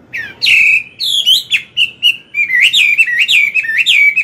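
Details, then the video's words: Morning singing by a wild-caught adult Chinese hwamei, meant to stimulate a young bird: a bright stream of slurred, bouncing whistles and sharp accented notes, continuous and loud. "Luyện giọng họa mi hót sáng, kích bổi mau căng lửa."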